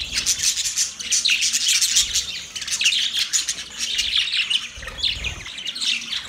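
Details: Mating budgerigars produce an unbroken, busy warble of high chirps, clicks and squeaks, with soft wing flutters now and then.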